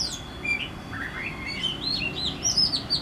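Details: Oriental magpie-robin in a backyard at Howrah, West Bengal, India, singing a phrase of clear, sweet whistles that climb step by step, ending in quick, high slurred notes over a faint low rumble.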